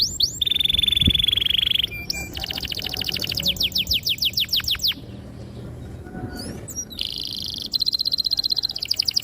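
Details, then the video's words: Canary song meant to stimulate young canaries learning to sing: a steady high buzzy roll, then a series of fast descending whistled notes, a quieter pause, and a rapid pulsed trill at the end. "PANCINGAN KENARI GACOR PANJANG || PANCINGAN KENARI PAUD BELAJAR BUNYI || MASTERAN KENARI PAUD"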